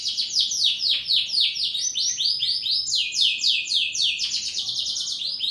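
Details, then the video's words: Energetic canary song made of rapid rolled trills, each run of quick notes dropping in pitch, some repeated at about four per second, then a steady high trill, unbroken and loud. "Burung kenari gacor"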